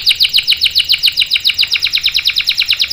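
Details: Canary, sung to coax other canaries into song: a steady, rapid train of bright, downward-sweeping chirps repeated at a regular pace.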